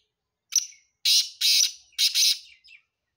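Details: Black francolin calling in Sindh, Pakistan: a brief clipped opening note followed by three rasping, scratchy phrases, the last two run together, ending in a faint soft trailing note; no other sounds.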